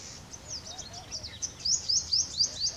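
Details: White-naped tit, endemic to dry thorn scrub forest of India, giving a quick series of thin, high, upslurred notes, about four a second, growing louder toward the end; faint low background hum.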